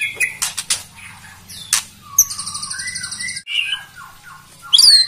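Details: White-rumped shama song played to provoke rival birds: dense varied phrases of sharp clicks, buzzy high rattles and short whistled slurs, with a steady low hum throughout.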